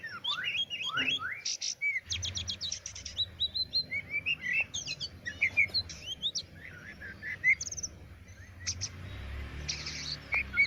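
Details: Varied Oriental magpie-robin song opening with downslurred whistles, then fast stuttering buzzy chips and bright slurred notes in irregular bursts, with a low rumbling hum underneath.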